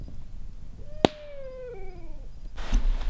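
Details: Barred Owl calling at night at a forest-road campsite on a cold overnight around 34–35°F, giving a single drawn-out, slightly wavering hoot that slides downward at the end; a sharp click and rustle of nearby movement are also heard.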